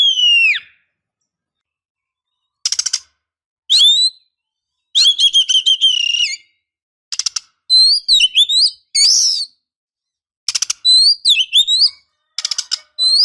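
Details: Female Oriental magpie-robin (kacer) calling to lure a male into singing: short bursts of whistled, slurred notes, some falling, others buzzy and broken, spaced by silent gaps over thirteen seconds.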